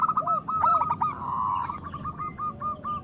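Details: Zebra doves of a local strain singing loudly, meant to raise breeding desire and prompt quiet birds to sing. A dense stutter of short coo notes, with a longer blurred burst mid-clip, then a steady run of even notes.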